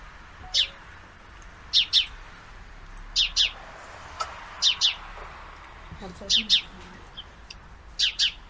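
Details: Paired sparrow chirps, six double notes about every 1.4 seconds, from a male watching two females fight; a quiet human voice is heard underneath.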